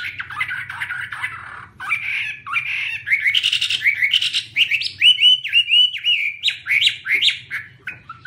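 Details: Chinese hwamei singing while waving its wings: a loud, varied, fluty warble of slurred and rising whistles with abrupt note changes and some buzzy bursts, over a faint low hum.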